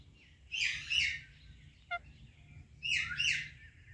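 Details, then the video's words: Rose-ringed parakeet, a talking ringneck, calling in two harsh double-noted squawks separated by a gap, with a brief click between them. "Ringneck Talking Parrot Natural Sounds | Calming Parrot Chirping Sounds"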